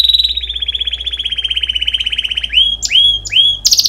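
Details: Canary training song for chicks: a long even trill gradually dropping in pitch, then three loud swooping whistled notes with sharp high clicks between them.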